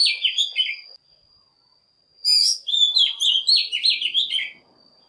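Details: Oriental magpie-robin song used as a lure to call other birds into singing: loud, varied whistled phrases with slurred, warbling notes, a one-second pause, then a longer run of rich, undulating whistles over a steady faint high tone.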